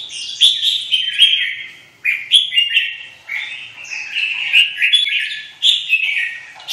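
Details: Red-whiskered bulbul, white in the wing, singing hotly: bubbly, chattering whistled phrases in three loud bursts separated by short pauses, each phrase rolling downward.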